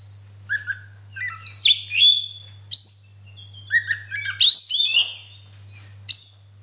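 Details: Male Oriental magpie-robin singing while spreading its tail: clear whistled notes, some long and level, others sliding up or down, in varied phrases with pauses, over a steady low electrical hum.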